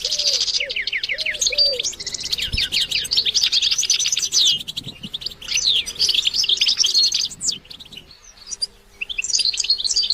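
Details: European goldfinch singing, used to stimulate other goldfinches: fast liquid twitters, trills and buzzy notes in long bursts, a brief pause near the end, and faint low cooing notes repeated early on.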